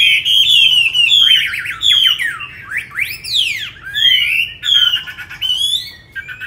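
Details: Chinese hwamei, a tame cage bird in Hanoi, Vietnam, delivers loud, pure whistled phrases with long downward and upward glides, separated by short pauses, sweet and ringing, with no other sounds.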